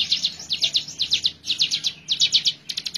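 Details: Hill prinia singing very actively, kept as a master recording for training birds: high, sharp chip notes in quick bursts of four to six, phrases repeated about every half second, then a faster clipped series at the end.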